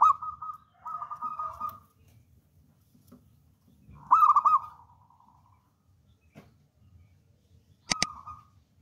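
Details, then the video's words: Zebra dove of local stock, praised as a bold, lively singer for tutoring caged doves. Long even coos, a loud tremulous trilled phrase trailing off, and a sharp click near the end. "PERKUTUT LOKAL ALAM GACOR"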